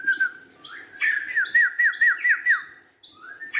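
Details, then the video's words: White-rumped shama, young and forest-born, delivering bright whistled phrases paired with high ringing overtones, including a quick series of six repeated downslurred notes. "kicauan murai batu"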